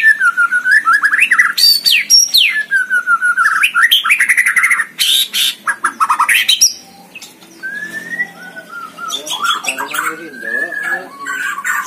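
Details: White-rumped shama singing at a songbird contest, recorded for use as tutor song: loud, varied phrases of whistled slurs rising and falling, rapid chattering bursts and harsh notes, then softer twisting whistles with other bird voices mixed in.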